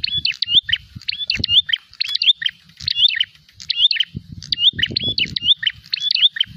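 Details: Prinia giving fighting calls while seeking a rival, a rapid series of high, sharp chirps mixed with brief whistled slurs, phrases following closely one after another; faint low knocks and rumble underneath.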